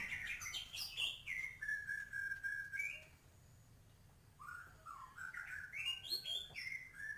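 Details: White-rumped shama in full, vigorous song packed with filler phrases: clear whistles, some drawn out and level, others sliding upward. The phrases are separated by a brief pause, over a constant low background hum.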